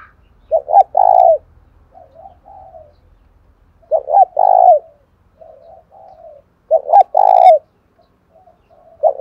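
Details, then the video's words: Caged spotted dove in 'giọng đồng thổ' voice, repeating its phrase about every three seconds: two short clipped notes and a long strong coo, followed by softer, quieter trailing coos before the next phrase. "cu gáy giọng đồng thổ thúc rút bổi nghe cái gáy luân và ngay"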